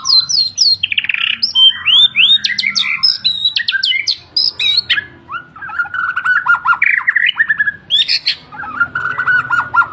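White-rumped shama singing a rich, fast medley of clear whistles, slurred notes and harsh rattles, shifting phrases every second or so with barely a pause.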